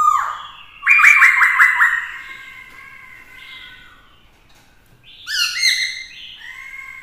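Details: Black-throated laughingthrush singing a challenge song with loud, rich whistled phrases and a quick rolling trill, then a bright, ringing phrase after a short pause; a female is also kept alongside to excite the male.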